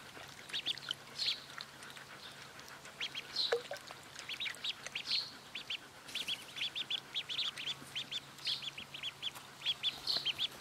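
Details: Several two-day-old white crested domestic ducklings peep constantly in high, thin chirps in quick overlapping runs, over a faint low hum.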